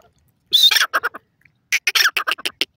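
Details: Loud grey francolin calling, locally named teetar: a shrill squealing opener, then a quick burst of rasping cackles, a pause of about half a second, and another rapid run of harsh, clipped notes, with no other sounds.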